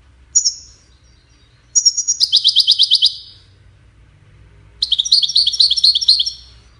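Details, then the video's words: Goldfinch song for courtship and communication. A lone high note comes first, then a phrase with a high intro and a quick buzzy trill, and after a pause a busier, warbling twittering run of cascading notes. "Witness the Majestic Goldfinch Singing"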